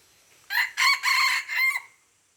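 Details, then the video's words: Crow of a junglefowl in Aceh, dated 5 January 2020: loud, raspy, four-syllable call with a short opening burst, two longer middle notes and a falling final note that tails away, otherwise quiet. "Ayam Hutan Aceh"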